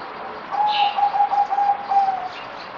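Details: A zebra dove on its fourth day of deworming treatment, 17 April 2020, gives a soft, quick run of purring coo notes at one steady mid pitch for nearly two seconds, with a faint higher chirp near the start.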